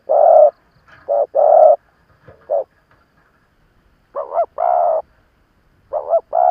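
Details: Spotted dove kept as an experienced decoy to draw in wild birds. Low, resonant coos come in short-long pairs, some opening with a wavering, rising lead note, separated by brief pauses.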